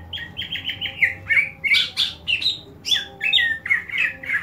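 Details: Greater green leafbird fighting call for training other leafbirds' fighting spirit, a hurried jumble of harsh squawks and bright slurred whistles in quick bursts, over a faint background hum.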